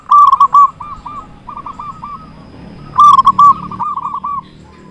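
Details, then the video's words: Strong-voiced local zebra dove, used in Indonesia to lure other zebra doves and spur them to sing. Two loud clusters of bubbling coos are each followed by softer, quickly repeated hooked notes. "Perkutut lokal gacor suara besar cocok untuk pancingan semua jenis burung perkutut"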